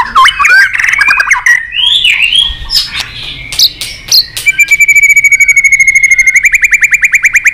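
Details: White-rumped shama singing excitedly with tail flicks: varied warbled and slurred notes, a long steady whistle, then a fast even series of repeated clicking notes.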